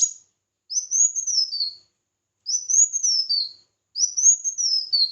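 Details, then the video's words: Competitive song of a red-whiskered bulbul, three clear whistled phrases, each rising and then falling in a slurred sweep, with gaps of under a second between them. "Chào Mào Hót Đấu"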